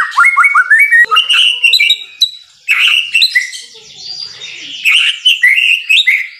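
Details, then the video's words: Loud, restless song of a white-rumped shama: rapid rising whistles and piercing chips, a brief lull, then further bursts of rich warbling and high trills. "MASTERAN MURAI BATU SUPER GACOR"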